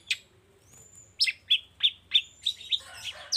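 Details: Long-tailed shrike lure meant to set caged shrikes singing in the morning: a lone chip, then a steady series of clipped downslurred notes about a third of a second apart, ending in a broad rough chatter.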